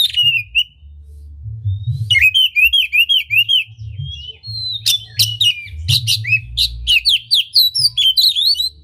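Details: Oriental magpie-robin fanning its tail while singing, meant to provoke other magpie-robins into song; a run of rhythmic repeated whistled notes, then sharp chips and quick varied phrases, with low background hum.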